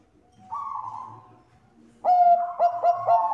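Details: Bangkok zebra dove used to coax other doves to sing: a soft, wavering warbled note, a short pause, then a loud run of clipped, rhythmic coos with strong harmonics.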